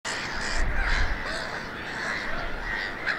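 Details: Black-headed gulls sitting on eggs at a nesting colony, RSPB Snettisham, Norfolk, UK, 8 May 2018, 5:14 pm; a dense, continuous chorus of harsh, overlapping squawking calls from many birds with a constant low rumble beneath.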